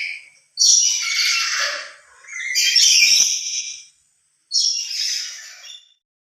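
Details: Loud lory calls given when the bird is emotional and alone: two long, grating screeches run nearly back to back, then a third shorter one comes after a silent pause.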